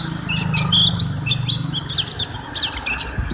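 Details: Vigorous white-eye song on a long training recording for caged birds: quick, high rising whistles and sharp chips in rapid succession, with a low background drone.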